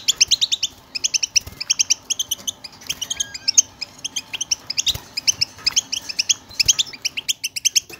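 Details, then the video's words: European goldfinch singing as motivation for silent goldfinches: long stretches of fast high twittering chirps, with occasional dry clicks underneath. "اتحداك اذا لم يغرد حسونك مع هذا التحفيز , بتبتة تقلق الطيور الصامتة"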